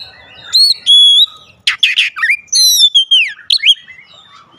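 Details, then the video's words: Kacer, the Oriental magpie-robin, in lure song used to trigger singing: long pure level whistles, scratchy bursts and a bright descending slurred whistle, delivered in loud separate phrases. "pancingan harian Kacer langsung gacor"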